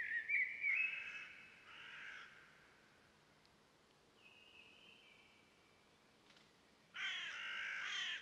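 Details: Blue-bearded bee-eater near Salem, South India, giving harsh, croaking bursts in two rasping runs at the start and end, separated by a quieter stretch with a faint thin whistle.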